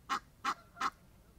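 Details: Egyptian geese out in nature, friendly birds that also stretch their wings in display: three loud, harsh, nasal honks in quick succession, evenly spaced about a third of a second apart.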